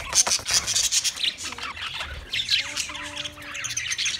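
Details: Budgie flock in noisy, high, scratchy twittering, then a pair of steady low whistled tones held for over a second.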